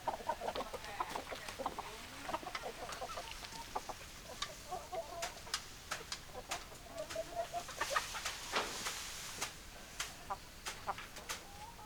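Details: Chickens clucking at a low level, with a busy run of short notes and murmuring clucks over about twelve seconds, punctuated by sharp clicks and a constant noisy background.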